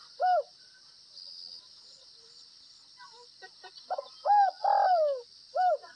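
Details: Spotted dove of the Northwest (Tây Bắc) in gáy gù (bo) cooing: a lone short coo, a quiet gap with faint clicks, then clipped coos, a long downward-gliding note and a closing short coo, amid constant insect hum.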